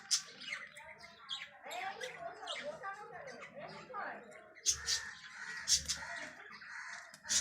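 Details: Young budgerigars, babies, give a jumble of thin, squeaky chirps and raspy peeps, overlapping one another, apparently in the morning after bathing; budgerigar.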